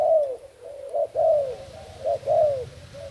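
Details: Thai-origin decoy spotted dove, dated 8 August 2018, cooing loudly and close: rounded, gently descending notes alternating short and drawn-out, roughly four in three seconds, over a faint low hum.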